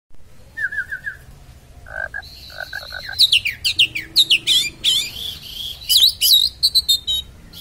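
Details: Oriental magpie-robin in sharp-voiced 'konslet' style, used to provoke other magpie-robins: a few lower whistled trills open, then a rapid run of loud, high sweeping and twisting notes about three per second.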